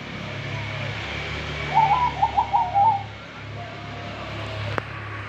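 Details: Male zebra dove giving one stuttering trilled coo phrase over steady loud background hum and noise, with a single sharp click near the end.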